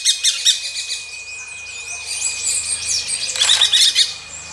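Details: Gray-breasted Parakeets while mating: clipped, rapid high notes open the clip, giving way to swirling squeaky chatter and a louder harsh burst near the end, with a faint low hum beneath.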